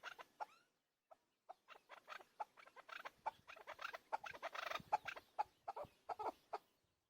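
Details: Hunter chakor, or chukar partridge, giving dense, rough clucking notes in quick uneven bursts that crowd together into a busy chattering stretch before thinning out again.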